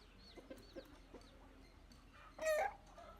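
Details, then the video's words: Soft, scattered clucks for two seconds, then an Aseel (Asil) rooster gives a short, loud, harsh crowing burst that cuts off abruptly, over a quiet background hiss. "Asil Rooster Crowing Sound"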